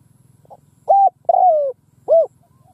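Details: Decoy spotted dove gùing across a field to draw in wild birds: a flat short coo, a long coo gliding downward, and a short rounded coo, over a steady low pulsing hum.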